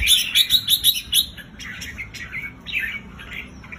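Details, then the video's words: Red-whiskered bulbul song, used to rouse caged bulbuls: a quick run of about six loud, evenly spaced chirped notes, followed by softer, more scattered warbled notes over a low hum. "เสียงนกจุกริก เปิดให้นกที่บ้านคึก"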